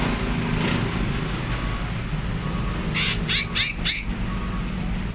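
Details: Greater green leafbird giving harsh chattering calls, used as a lure for young wild-caught birds; after a quiet stretch, a burst of several noisy rasping notes and sharp high whistles, over constant low background rumble.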